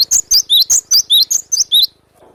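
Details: Wild cinereous tit singing vigorously with a sharp 'besetan' phrase: eight loud, quick whistled two-note figures in a rapid run, each a high note dropping to a lower one. A brief faint low rustle follows.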